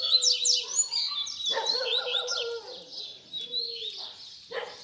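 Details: Double-collared seedeater baderna song for teaching young birds to sing: varied high whistles and rapid trills layered over lower steady tones and a harsher burst.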